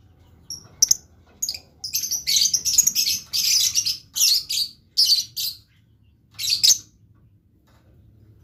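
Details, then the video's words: Blue lovebird in a lively run of harsh, high, squeaky chirps, rapid and choppy for several seconds, then a last burst and quiet; faint hum below. "LOVE BIRD GACOR"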